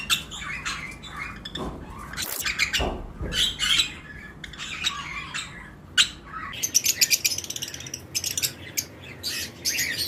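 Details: Pairs of lovebirds, several mutations, in a breeding-season flight cage with other birds. Harsh squawky chirps arrive in uneven bursts, with a few low knocks, then a rapid stuttering chatter toward the end.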